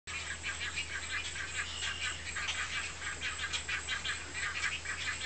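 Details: Great egret mother feeding large chicks in a nest: a steady, dense stream of rapid dry ticking and clattering pulses runs throughout without pause, over a constant low electrical hum.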